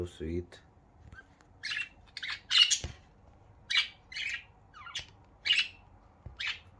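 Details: Pet budgies kissing and chattering happily in the morning: a string of bright, scratchy high chirps at irregular intervals, with a brief snippet of a woman's voice at the start.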